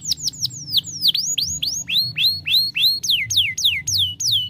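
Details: A young canary sings a sequence of swooping whistles, some rising and some falling, repeated about three per second in shifting tours.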